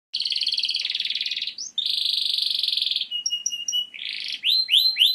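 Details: Canary singing to prepare females for mating: a long, rapid buzzy trill, a brief gap, a second buzzy roll, soft paired high notes, then a run of repeated downward-sweeping whistles.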